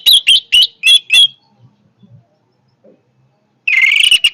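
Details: Orange-headed thrush giving five or six loud, ringing whistled notes, a near-silent gap with faint knocks, then a sustained, buzzy, energetic trill.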